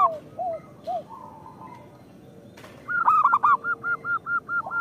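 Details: Local zebra dove song, used as a lure: a few soft, low, bending coos at first, a quiet stretch, then a loud ringing burst. A rapid, evenly spaced series of bright, short coos follows.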